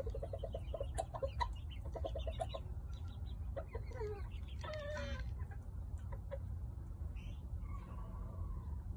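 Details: An all-white Serama rooster, of a breed described as the world's smallest chicken, gives quick series of sharp clucks, then a brief harmonic squawk midway, followed by softer scattered clucks over a steady low background rumble.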